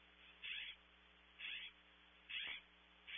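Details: California scrub jay recorded by a cavity camera at Audubon Starr Ranch, California: harsh, raspy bursts, each about a quarter second long, repeated roughly once a second over a steady low electrical hum.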